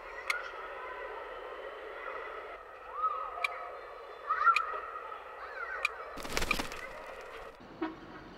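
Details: Common kestrel (Falco tinnunculus), a female incubating six eggs in a balcony flowerpot of a Seoul apartment, greeting the returning male: drawn-out wavering whining calls rising and falling over several seconds, with sharp clicks and a brief rustle.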